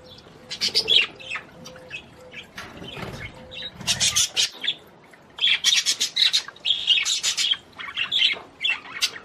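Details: Budgerigar singing to stimulate a female to mate: bursts of dense, scratchy chirps and warbles high in pitch, broken by short pauses, with a faint low hum and soft thuds in the middle.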